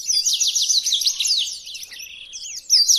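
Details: {'caption': 'Blackthroat, the black-throated canary, singing as a model for training other birds: a dense, bright chatter of quick up-and-down whistled notes, slightly softer mid-phrase, ending in a louder burst.'}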